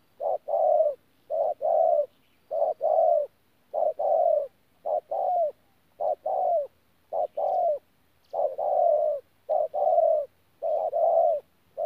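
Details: Spotted dove, a wild-caught bird, recorded at Tu Mơ Rông on 14 January 2019, cooing in the 'pha gù' style: a short note snapping into a longer, slightly falling low coo, in pairs repeated steadily for twelve seconds.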